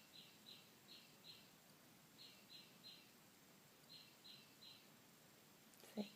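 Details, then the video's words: Noisy birds outside a room where a cat sleeps: high chirps given in quick groups of three, each group repeated after a pause, over constant hiss, with a sharp click at the end. "Keep it down, birdies. You're trying to sleep. They're so loud."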